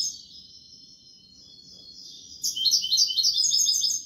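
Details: European goldfinch singing in the Malaga style, a long thin tremolo note followed by a loud burst of fast, bright, repeated twittering syllables.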